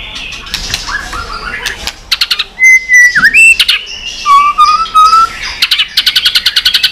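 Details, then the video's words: Tail-flicking white-rumped shama in fighting song, delivering a long wild-style song of varied voices: rapid clicking bursts, then long steady whistles, one with a dipping note, ending in fast repeated ticking notes. "chòe lửa tạch đập đuôi kích lửa hót đấu căng lửa.luyện chòe lửa hót nhiều giọng rừng dài"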